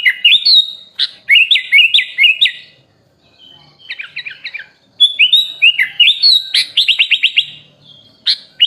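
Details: A sooty-headed bulbul sings a fill-in-rich tutor recording for training songbirds: jerky whistled phrases, a quiet gap, then fast rising whistles and a rapid rattling series of chirps.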